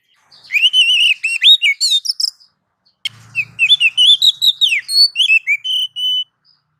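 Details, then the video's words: Oriental magpie-robin (kacer) song used as a master recording for training songbirds: clear whistled phrases of varied rising and falling notes, two bursts separated by a brief pause, with a faint low hum in the second. "suara masteran Kacer"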